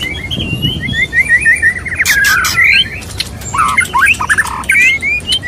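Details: White-rumped shama, a male courting a female, mating sounds: a run of short clear whistled notes, then sharp broadband clicks and scratchy squawks mixed with rising and falling slurred whistles.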